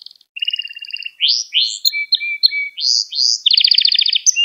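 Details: Canary lesson song for training young canaries: short buzzy trills and whistled notes, then rising slurred phrases, a long flat whistle, and a bright rapid rolling trill near the end.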